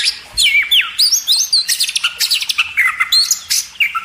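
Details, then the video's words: Magpie robin song recorded as a master tutor for caged birds, with swooping whistled slurs followed by rapid chattering bursts and bright chips, delivered loudly and continuously with no other sounds. "masteran burung kacer"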